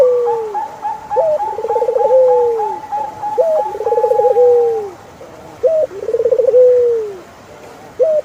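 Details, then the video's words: Turtle dove sings repeatedly, roughly every two seconds: a hooked call, a quick throbbing trill and a long descending coo. A higher, regularly repeated whistle runs beneath the first half. "Sound of Turtlefove"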